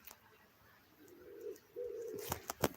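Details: A pigeon somewhere near a walking path, with peacocks also calling from the trees nearby: a soft, low coo, a drawn-out hum rising then holding steady, followed by a few sharp clicks and knocks nearby.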